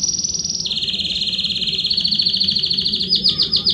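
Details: Belgian canary singing loudly, played to warm up another canary: a high, rapid buzzy trill that drops in pitch after half a second, holds steady, then breaks into a faster run of repeated, distinct notes near the end.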